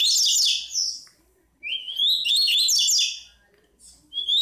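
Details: Chestnut-bellied seed finch, a bico-de-pimenta bird, singing the tui-tui song style: bright, high whistled phrases sweeping upward then breaking into rapid twittering notes, two loud bursts separated by a short pause, with a quiet background.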